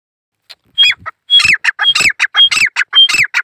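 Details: Lone male grey francolin calling in the jungle: loud, harsh phrases, each opening with a short high whistled note and sliding into descending squawky syllables, the rhythm building after a brief hesitant start.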